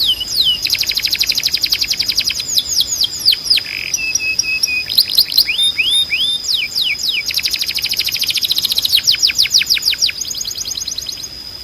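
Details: Tutor song for canaries learning to sing: long fast trills of repeated sweeping notes, a brief buzzy note, clusters of falling whistles, then more rapid rolling trills with a thin sustained high whistle throughout.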